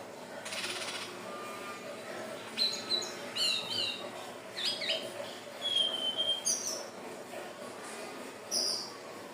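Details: Hill blue flycatcher, recorded for luring birds, gives a run of quick, high warbled notes. Clear whistled phrases rise and fall before a short pause, with a burst of noise at the start and steady hiss.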